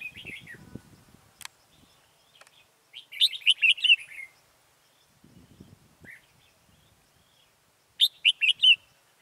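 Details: Red-whiskered bulbul decoy singing to draw a wild bird into a trap in Vietnam, 14 October 2018: bursts of rapid bright warbled notes near three seconds and again near eight seconds, with soft rustling between.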